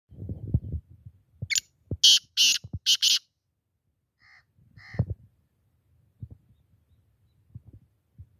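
Black francolin giving a harsh, grating call: four loud rasping notes in quick succession, then two softer, thinner notes, over low thumping background noise.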